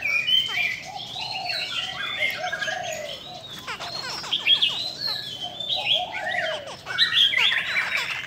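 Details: A female Chinese hwamei singing 'bắt cô trớt cột' style song and displaying wings and tail, noted for exciting males; a rich medley of high whistles, chattering trills and sharp downslurred notes, loud throughout.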